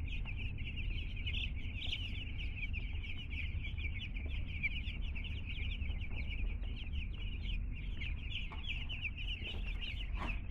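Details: Two-day-old chicks newly arrived at a home, many peeping together in a steady stream of short, high, shrill cheeps that overlap without pause, with a low background hum beneath.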